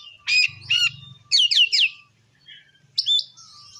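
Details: Oriental magpie-robin song in the ngeplong style, meant to rouse other magpie-robins: two clear whistled notes, a fast trio of slurred downward whistles, a pause, then one more bright phrase, over a faint low hum.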